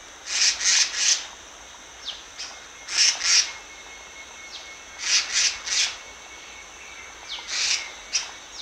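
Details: Black-naped monarch lure song: high, harsh, rasping notes like a saw or file, given in tight pairs and triplets at intervals of about two seconds, with faint thin whistles between bursts.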